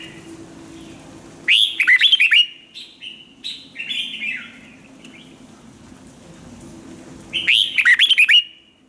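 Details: Red-whiskered bulbul singing, kept for song training: bursts of loud, rapid whistled notes sweeping down and up, about half a second each, with softer warbled phrases between and a quiet pause before the next burst.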